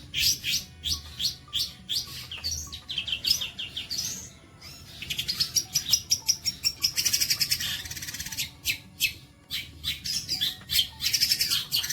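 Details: Long-tailed shrike song, offered as special 'bolo panjang' tutoring material for other birds: fast, varied high chirps and whistled phrases, bursts of rapid trills and a long buzzy rising note, with short pauses between runs.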